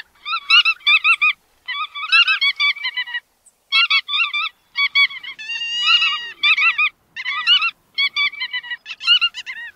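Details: Bar-tailed godwits give short bursts of clipped, nasal, yelping notes separated by brief pauses. A drawn-out wavering call sounds near the middle, and the bursts come roughly every second.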